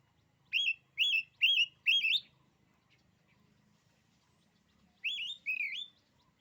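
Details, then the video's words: Oriental magpie-robin singing a song said to intimidate rival males: four loud, clear, rising whistled notes in quick succession, a pause, then two more twisting whistles. "kicauan kacer ini, bikin nyali kacer lain jadi ciut."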